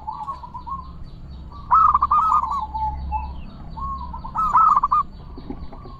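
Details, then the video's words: Zebra dove song, played to coax silent doves into song: soft trilled coos, two louder bursts of rapid stuttering notes, over a steady low background hum. "Pancingan Perkutut Gacorrr dorrr- Solusi Macet Bunyi Variasi suara besar, bekur, kristal"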